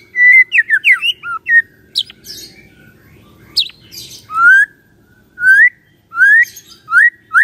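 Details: Morning song of a White-rumped shama, used to prompt a quiet shama to sing. Opens with a fast jumble of chirps and whistled slurs, then a pause, then loud rising whistles spaced about a second apart.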